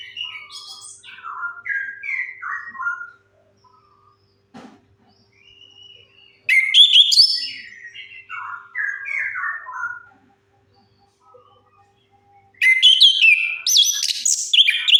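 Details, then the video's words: Orange-headed thrush lure song for birds that have stopped singing: soft descending whistled sequences alternate with three loud bursts of dense, high, varied whistles and warbles over fifteen seconds. "Suara pancingan AMPUH 100% untuk Anis Kembang Macet Bunyi"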